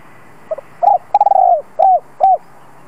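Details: Spotted dove (Spilopelia chinensis) decoy cooing to provoke wild doves to respond: a soft short note, a longer rolling coo, then two mellow arched coos, all low and hollow.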